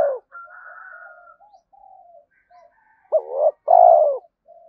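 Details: Spotted dove giving its coo to stimulate other doves; soft background cooing and a thin high tone come first, then a loud phrase with a sharp rising note and a long falling coo.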